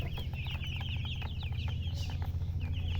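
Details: Chicks peeping together, thin bright chirps bending up and down in quick, uneven succession, a crowded chorus of several young birds over continuous deep background hum.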